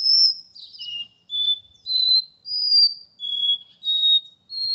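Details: Capped seedeater, a kept male of the porta-voz song style, in São Paulo on a Tuesday morning, 12 August: clear high whistled notes, some sliding down, others held steady, given in an unbroken series of about seven phrases.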